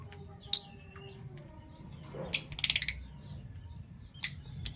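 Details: Shrill morning chirps of Fischer's lovebirds, PB violet and euwing gold opaline: single piercing notes at the start and end, with a rapid stuttering run of harsh chirps in the middle.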